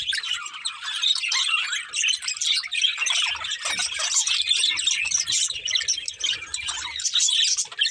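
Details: Budgerigar breeding pair chirping and singing, colourful budgies giving a steady stream of high scratchy warbles and squeaks that swell and fade in short bursts, with soft low rumbles beneath.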